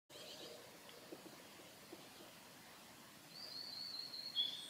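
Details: Eastern crowned warbler (Phylloscopus coronatus) sings a brief, high, thin buzzy phrase after about three seconds of soft outdoor hiss, on a forest road by Lake Miyagase, Japan, 16 May 2015.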